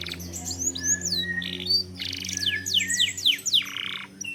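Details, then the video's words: Canary singing as a lure for other canaries: swooping whistled phrases and steep downward sweeps in quick succession, short harsh buzzes, over a steady low electrical hum. "Pancingan Kenari / Masteran Kenari / Dijamin Langsung Bunyi"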